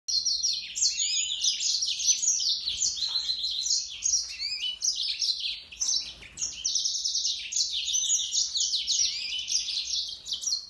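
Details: Yellow-fronted canary singing: a fast, continuous jumble of bright twittering and trilled phrases, high and sweet, running almost without pause, with a brief gap near six seconds before the warbling resumes.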